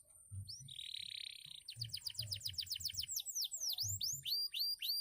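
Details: Canary, formerly a field bird: a steady buzzy note opens, then quick repeated trilled notes and deep swooping whistles, with rhythmic low thuds behind.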